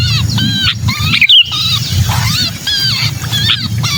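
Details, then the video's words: Lure recording of a trapped sooty-headed bulbul in distress: fast strings of harsh, wavering harmonic notes, one sharp click near the middle, low hum beneath. "Suara pikat burung kutilang kejepit"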